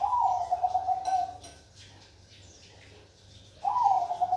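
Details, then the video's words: Bangkok perkutut zebra dove repeating its song: one bubbly trilled coo of about 1.5 seconds, a quiet gap of two seconds, then another phrase that starts with a quick rise and rolls on in rapid pulses. "Suara Burung perkutut Bangkok"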